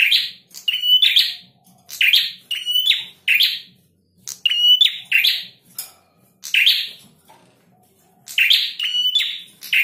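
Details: A male prinia sings vigorously with repeated short, harsh, buzzy phrases, about one every second or two, separated by irregular small gaps and a few fainter scratchy notes between them.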